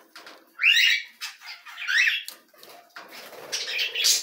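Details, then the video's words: Canary chicks at feeding time: loud buzzy begging bursts with rising chirped notes, harsh hissing squeals toward the end, and soft rustling between calls. "Canários "Alimentando os filhotes"."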